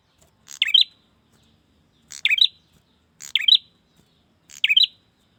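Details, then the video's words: Male bar-winged prinia calling to a female: four short, sharp, bright chirped notes, each a quick buzzy twist, spaced about a second apart in near silence. "Pancingan suara burung prenjak jantan memanggil betina"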